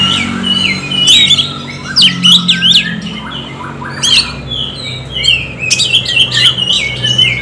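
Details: Lure song of an Oriental magpie-robin, meant to stimulate other birds to sing: loud, varied bursts of harsh squawky notes, sharp chips and whistled slurs delivered in uneven clusters.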